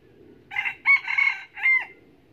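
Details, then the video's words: Often-crowing red junglefowl decoy rooster, Bình Phước, Vietnam: a harsh crow opening with a quick burst, holding a long middle phrase and finishing on a falling note, with steady low background noise. "Gà mồi siêng gáy, túc mái"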